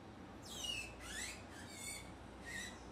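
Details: A female euphonia approaching fruit amid a commotion made by tanagers gives thin, high, downslurred call notes, four of them spaced irregularly over a few seconds, over a soft background hiss.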